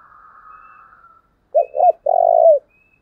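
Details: A faint, wavering higher whistle fades out, then a decoy spotted dove gives one "thúc" style phrase meant to provoke wild doves: two short rounded coos and a long, even, falling coo.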